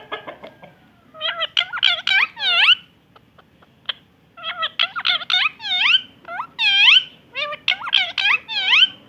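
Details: Pet parrot talking, said to be saying "I love you" and "good morning": bursts of speech-like harmonic syllables in phrases with short pauses, rising and falling in pitch, over a faint low hum.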